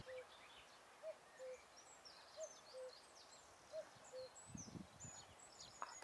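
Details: Common cuckoo in the green spring woodland of the Alblasserbos, Netherlands, in the evening: a mellow two-note 'cu-coo' with the second note lower, three times at about one pair every 1.4 seconds, over high twittering songbirds.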